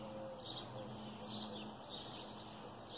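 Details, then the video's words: Morning birdsong outside: faint, high, repeated chirping phrases about every half second to a second, partly masked by constant broadband noise and a low hum. "Morning Bird Songs"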